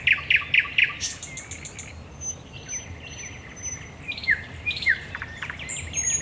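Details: At night on 10 May 2021 at the Raszyn Ponds, a thrush nightingale gives a few loud, hard repeated notes, then a long thin high whistle, then scattered short upward chirps and softer chattering.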